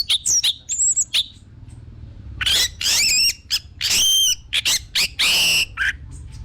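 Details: Orange-headed thrush song meant to lure other birds into singing: fluty whistles mixed with harsh, buzzy rasping notes, delivered in dense bursts with brief gaps.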